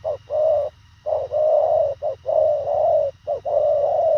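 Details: Spotted dove of the Thổ khàng type in fast cooing: long, smooth, low hollow coos broken by short clipped notes, nearly continuous, with a soft low hum in the background.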